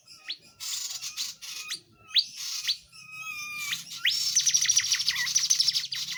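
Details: Tledekan jati in lively gacor song for tutoring other songbirds: separate rising whistled upslurs and thin chips, then a fast trilled run of high notes near the end, with a faint low hum beneath.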